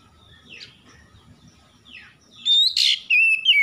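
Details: Oriental magpie-robin morning-dew lure song for stressed kept birds: faint soft downward sweeps at first, then loud clear whistles with a harsh burst and a rising slur near the end.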